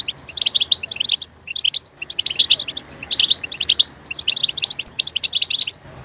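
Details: European goldfinch singing after stimulation: rapid tinkling chirps and liquid twitters grouped into short bursts with small gaps between them.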